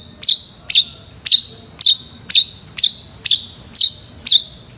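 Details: Long-tailed shrike giving a steady series of nine sharp, harsh chack notes, each with a brief buzzy tail, spaced about half a second apart over a quiet background.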